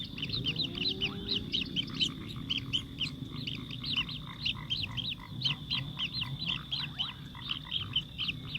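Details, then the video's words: Sparrow feeding food to its chick, with a steady series of short, sharp chirps repeated rapidly throughout. A low, continuous rumbling hum sits underneath. "sparrow eating food his chick"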